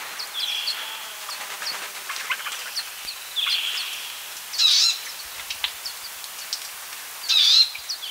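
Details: Palestine sunbird giving scattered high, thin chirps, with two louder, sharper bursts near the end over a hissy background.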